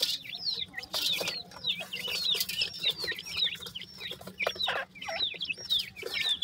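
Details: Pakistani francolin chicks kept as a brood give a busy chorus of shrill, sliding peeps that overlap almost without pause, with occasional scratchy rustles and a steady low hum.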